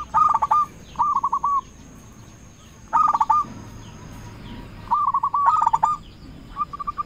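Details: Local zebra dove in full song, used as a lure to call rivals and provoke other doves into answering; bursts of quick, rolling, mellow notes about a second long, repeated every two seconds with short pauses between phrases.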